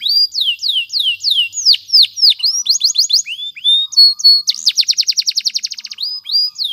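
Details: Canary song played for training, with down-slurred whistled notes, then a rapid series of short high notes, a brief steady whistle, and a long fast trill of evenly spaced pulses before more sweeping slurs.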